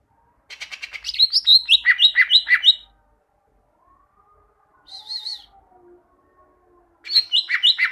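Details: Caged greater green leafbird singing, recorded as a master for training other caged birds; a rapid run of alternating high and lower whistled notes about two seconds long, a short wavering trill, then the phrase starts again.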